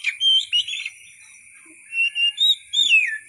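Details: Wild-style white-rumped shama singing for training other songbirds: a burst of rich whistled notes, a pause, then smooth drawn-out whistles ending in a falling slur, over a faint constant hiss.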